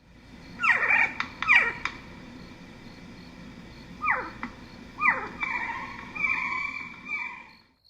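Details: An Eastern Screech-Owl from eastern Nebraska gives its screech call, the call its name comes from: shrill, quavering calls that slide steeply downward in paired bursts a few seconds apart, then steadier wavering tones.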